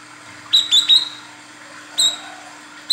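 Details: Calling female olive-backed sunbird, used as a lure for males: a quick run of three high upswept chirps, then a single chirp and another at the very end, with a low steady hum underneath.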